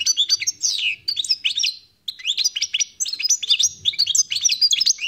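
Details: European goldfinch, wild-caught, sings bursts of rapid high twittering and slurred chirps, separated by two short pauses.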